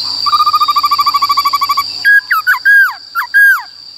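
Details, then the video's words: ['Black-throated laughingthrush in forest-style song for voice training of young and wild-caught birds: a fast even chatter of about twenty short notes, then loud swooping whistles that rise and drop, over a steady high tone.'] "Khướu Bạc Má HÓt Giọng Rừng"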